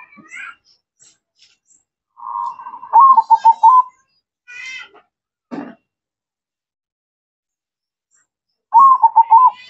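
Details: Zebra dove singing vigorously: two loud rolling coo phrases of rapid pulses, with a softer introductory note and brief unrelated chirps and clicks between them.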